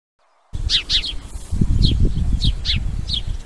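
A house sparrow gives about seven bright, sharp chirps in loose pairs and singles over three seconds, above a steady low rumble of wind or distant traffic.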